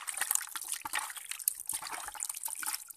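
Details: Uneven trickling and splashing water with many small drips; no animal voices.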